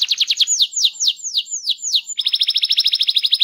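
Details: Canary rolling song used to stimulate other canaries to sing: a series of downward-sweeping whistled notes, about seven in two seconds, then a fast, even trill of rapid repeated notes.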